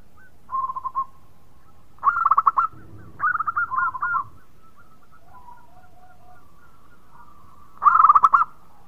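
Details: Local zebra dove in full song, said to set off other birds singing: short bursts of rapid, rolling, bubbly coos in a soft mid pitch, separated by quiet gaps with faint background notes.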